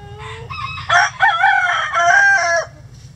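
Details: ['Rooster crowing in a chicken coop at a sanctuary on a sunny day: a loud, harmonic crow of several drawn-out segments lasting about two seconds, preceded by softer rising notes, over a low steady background hum.']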